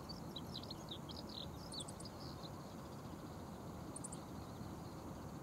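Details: Budgerigar by the Oita River in Japan, recorded on October 15 at 8:06 in the morning: a quick run of short, high chirping notes over about two seconds, with a few faint high ticks later, over a steady low rumble.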